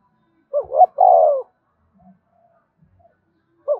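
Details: Spotted dove in the prodding 'gáy thúc' cooing style, used to get newly caught caged birds to coo along. A short two-part coo then one long, deep, slightly falling coo, with another brief coo starting at the end.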